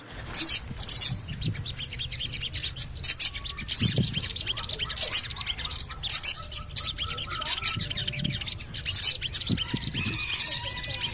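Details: Javan cochoa lure call for getting birds to sing: a long series of shrill, clipped chirps in bursts every second or so, some doubled, over a crackling background with occasional low thumps.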